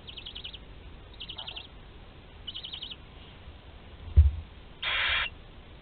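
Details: Barn owl nest at Théding, 20 July 2020, with a 13-day-old chick able to swallow prey whole; three high, wavering chitter bursts about a second apart, a sharp knock, then a long rasping hiss.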